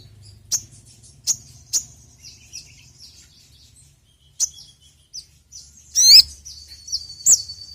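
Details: Crimson sunbird (sogon) calling as a lure. Isolated sharp high chips are spaced about half a second to a second apart, with softer thin notes and a brief louder twittering flourish near the end.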